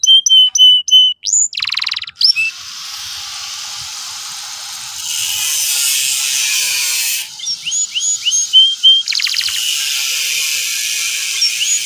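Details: Lure recording for a young canary learning the ngeriwik song: quick whistled notes and a trill open the clip, a long broad hiss masks the middle, then rising chirped phrases return over the hiss.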